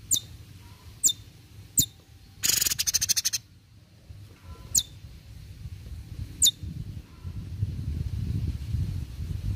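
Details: ['Cucak cungkok recorded to train birds: piercing high chips repeated roughly every second or two, one raspy burst of quick buzzy pulses, and low rumbling noise building toward the end.']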